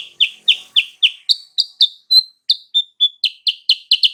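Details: Lure song of a sooty-headed bulbul meant to make a rival answer at once: rapid chirped notes, some higher and purer, some briefly slowing into single whistled notes before speeding into a dense chattering run.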